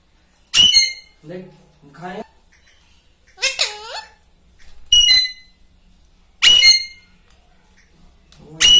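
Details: Pet talking parrot indoors in a small room, giving loud harsh squawks with bright harmonics at irregular intervals and one word-like utterance with gliding tones. A person's low speech is heard briefly between the calls.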